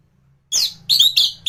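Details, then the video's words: Orange-headed thrush, song used to tutor other birds: three quick high, buzzy chirped notes in succession. "Burung anis gacoran || masteran untuk burung anis"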